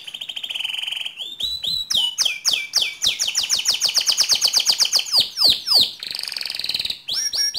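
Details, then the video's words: Canary singing gacor for training other canaries. A low steady trill leads into an accelerating run of sharp downslurred chirps around four per second, then a rough buzzy roll and final high notes. "Suara Kicauan Kenari Gacor"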